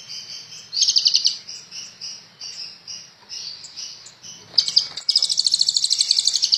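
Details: Kolibri ninja sunbird singing energetically for bird training: a thin continuous high warble with a short trill, then a dense buzzy rapid trill pulsing steadily to the end.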